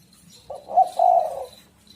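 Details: A spotted dove gives a single low, mellow coo phrase, a short note then a longer burred coo, used to lure other birds, with soft background hum.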